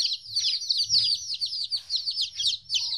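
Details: Chicks aged 14 days, first time separated from their mother, calling in a busy chorus of shrill falling cheeps, a few soft low rumbles underneath.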